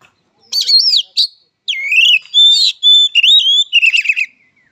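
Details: Oriental magpie-robin (kacer) fighting song: a loud sequence of swooping whistles, clear held notes and scratchy trills, the phrases following one another quickly for about four seconds.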